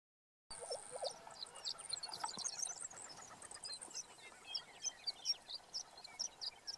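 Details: Lesser prairie chickens displaying on a lek in Kansas on 19 April 2015; short low hollow bubbling notes near the start, beneath a dense chorus of high chirps and twittering calls that continue throughout.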